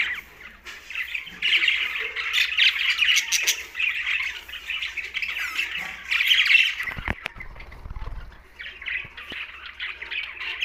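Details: Several green budgerigars chatter in a continuous squawky warble, with a brief thump and low rumble near the end before chirping resumes.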